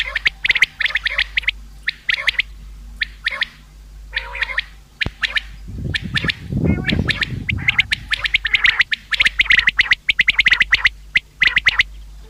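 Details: Common quail calling for use in hunting: long series of sharp, quick triplet notes repeated over and over, interrupted midway by a short low rushing noise, then continuing steadily.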